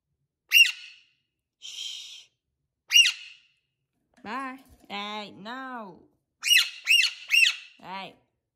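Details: Alexandrine parakeet indoors, vocalizing amid talking and laughing. Sharp, high, harsh squawks come singly, then in a quick run of three, interspersed with lower, voice-like harmonic utterances in a quiet room.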